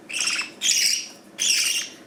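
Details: Pet budgerigar chatter in the morning in Northern Cyprus, bright, scratchy warbles and chirps in two high-pitched bursts, recorded while the young birds are being hand-fed from a spoon.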